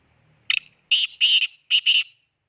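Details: Black francolin from Khushab: a short clipped note, then two pairs of loud, harsh, grating notes. A faint low hum runs before the call, and the background is otherwise silent.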